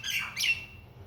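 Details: One of a pair of common mynas (Acridotheres tristis) visiting a window after rain gives two quick, harsh, scratchy notes, the first sliding downward, the second brighter and squawkier.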